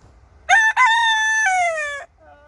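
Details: Wyandotte rooster crowing: a short opening syllable, a brief break, then a long, harsh, harmonic-rich held note that slides slightly downward before cutting off, with faint low background rumble.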